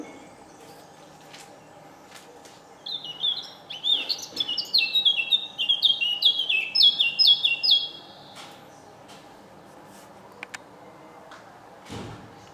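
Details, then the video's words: Eurasian blackcap at Senigallia on a morning of 25 June 2016, a singer heard daily on waking: one burst of rich fluted notes, slurring downward in a rapid series, set between quiet stretches with a few faint clicks. "il Canto della Capinera"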